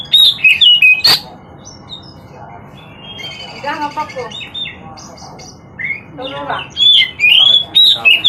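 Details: Oriental magpie-robin song: loud, varied whistled notes at the start and end, with a quieter stretch of softer, harsher sounds in between.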